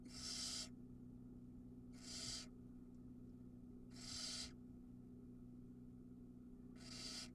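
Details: Barn owl nestling at a nest camera in Ram-on, Israel, recorded live during a feeding in which it swallows a mouse whole; long harsh hissing screeches, each about half a second, repeated every two to three seconds over a steady low hum.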